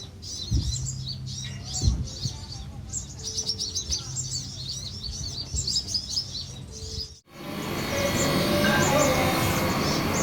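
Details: Van Hasselt's sunbirds at a colony, Pulau Perhentian, Terengganu, Malaysia, June 2017; busy high chittering notes repeated rapidly for about seven seconds, a few low thumps, then a cut to loud broadband noise.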